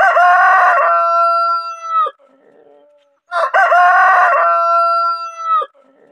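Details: Desi rooster crowing twice, each crow a loud, rich, drawn-out cock-a-doodle-doo of about two seconds ending in a sharp drop, with a quiet gap between them.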